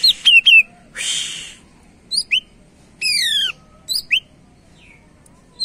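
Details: Lure song of a gacor greater green leafbird: quick whistled chirps, a long hoarse buzz, then a cascade of descending whistled slurs and scattered high chirps separated by quiet gaps.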